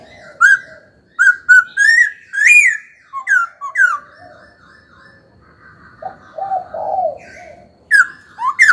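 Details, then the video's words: Caged laughingthrush, a young bird coming into voice, singing to stir another bird: loud rich whistled phrases, rising and falling slurs in short bursts, mixed with softer lower warbled notes in the middle. "Khướu hót cực hay, kích bổi hót ngay"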